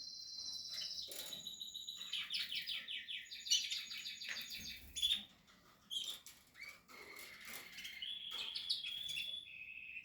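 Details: Captive Portuguese harlequin canary nest with chicks: varied high whistles, buzzy trilled runs and sharp chips, with a short quiet pause in the middle.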